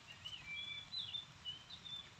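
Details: A male Oriental magpie-robin near its nest gives a danger warning as people approach, with thin, high whistled notes, several drawn out and slightly sliding, faint against a soft outdoor hiss.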